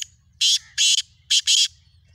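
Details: Morning call of a black francolin: loud, rasping, buzzy notes in a rhythmic phrase, one note followed by pairs in quick succession, all within under two seconds, over a faint low hum.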